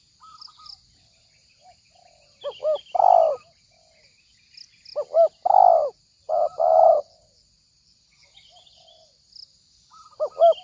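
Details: Spotted dove lure call for trapping birds: phrases of quick double notes leading into a full, rough coo, repeated several times with pauses, soft chirps of small birds and a continuous high hiss.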